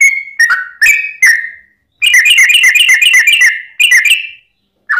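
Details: Lure song of a sooty-headed bulbul, meant to provoke other birds into singing: several slurred whistles, then a dense rapid burst of chattering whistled notes, with short silent gaps between phrases.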